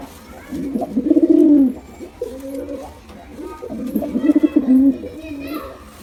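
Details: Two bouts of deep pigeon cooing, a male and female pair calling, each a rolling purr that bulges and dips over roughly a second, with muffled indoor background between.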